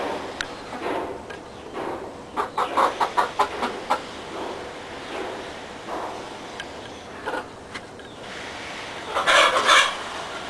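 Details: Backyard flock of chickens in a yard pen, giving a run of short clucks in quick bursts around three seconds in, with a louder squawking burst near the end and quieter clucks between.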